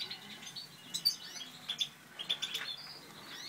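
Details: Satinet canaries from a breeding pair, a Natur/Satinet male with a Satinet female, give scattered high chirps and short twittering notes in loose irregular bursts, with a soft background hiss.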